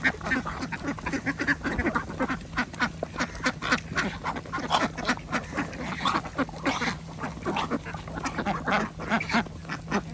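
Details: Many ducks on a local organic village farm in Andhra Pradesh, Day 53 of their feeding and care, quacking together as food is given; dense, choppy bursts of harsh calls with a constant low hum beneath.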